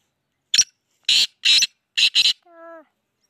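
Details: Black francolin giving a harsh, rasping call of five buzzy notes in a quick rhythmic series, the last two paired, followed by a short clear tone.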